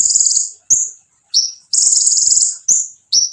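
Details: Konin singing to provoke other konin: very high buzzy trills broken by quick, sharp, downslurred chips, the buzzing and chipping alternating rapidly.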